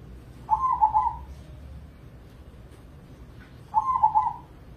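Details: Crossing zebra dove, an Indonesian competition bird in a cage, delivers two quick, bubbling, stuttered coo phrases about three seconds apart over a steady low hum.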